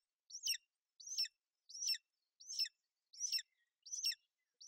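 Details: Female golden eagle sheltering her chick on a Bucovina nest in rainy weather, 28 May 2021; six crisp, high chirps, each falling sharply in pitch, spaced regularly under a second apart.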